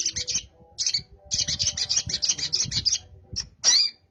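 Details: Long-tailed shrike delivering sparrow-like chirps in a fast repeated series, strident and high, ending with a louder squeaky note, low rumbling noise underneath.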